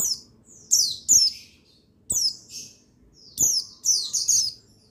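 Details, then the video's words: Male buxtoni white-eye, recording from 8/8/21 meant to rouse white-eyes into song: clusters of high, thin, downward-sliding chirps, some paired, separated by short pauses, with dry clicks at several onsets. "Buxtoni Menaikan Emosi Burung Pleci Bahan Agar Pleci Bustomi Gacor Cepat Bunyi"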